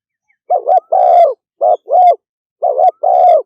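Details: Three quick coo phrases from a spotted dove in speedy 'thúc gù' style, each a short wavering note leading into a longer, steady, mellow hoot, spaced under a second apart against silence.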